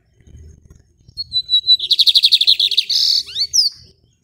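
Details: Lined seedeater singing rajadinho from a hand-held cage, Maranhão, Brazil. A drawn-out thin whistle runs into a rapid series of high pulsed notes, a buzzy burst and sharp sliding whistles, with faint low background rumble.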